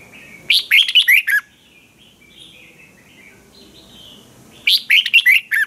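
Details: Red-whiskered bulbul from Thailand singing its training song: two clear warbled phrases of quick descending whistles, about four seconds apart, with soft twittering notes in the gap.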